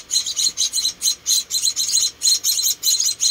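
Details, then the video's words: Rescued munia babies, four of them, calling while being fed: high, hissing chirps repeated in uneven bursts about every third of a second. "Rescuing and Feeding Four Tiny Munia Babies"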